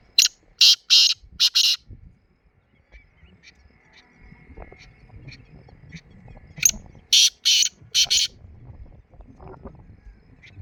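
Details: Black francolin calling in the early morning: a burst of four harsh, loud grating notes, a pause with faint distant sounds, then the same rasping series of four again.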